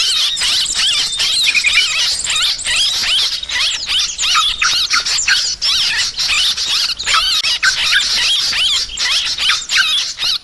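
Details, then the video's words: A dense chatter of yellow-vented bulbuls, used as a lure to attract birds. Many high, squeaky and bubbly notes overlap steadily, with frequent short wavering whistles and brief pauses. "Suara Trucukan Pikat Burung ribut"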